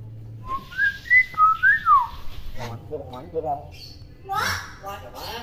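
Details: Tame, talkative common hill myna imitating human speech and other heard sounds: a run of clear whistled notes rising and falling, then a string of rough, voice-like syllables and a harsh squawk at the end.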